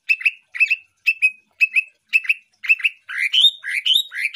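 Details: Greater green leafbird, a champion songbird, in a full-isian masteran: paired chirping notes repeated every half second, then a faster run of rising, slurred whistles.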